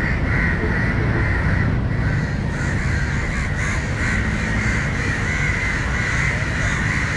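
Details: Crows at Matara, Sri Lanka, defending a grounded, struggling crow against a dog, one repeatedly swooping over it; hoarse caws run almost continuously in the second half, with constant low-pitched rumble underneath.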